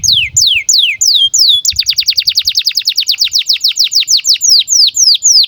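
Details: Canary in breeding condition, its song played to train young canaries to sing; several slow, long falling whistles, then a rapid steady trill of short downswept notes around six per second, with faint low background music.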